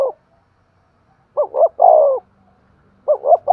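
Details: Spotted dove with thúc gù cooing. Two quick hollow notes lead into a long, descending coo, and after a pause the next phrase starts with a pair of short notes.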